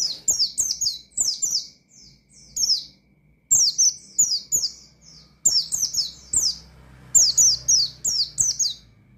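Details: Pleci in ngalas mode challenging rivals: dense, repeated volleys of thin, high, descending chirps, each volley several notes long, with short gaps and a low hum in the background.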